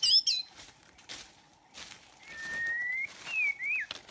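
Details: White-rumped shama song used to lure birds into a trap: a high bright whistled flourish, a pause with rustling, then a long level whistle and a looping rising-falling note.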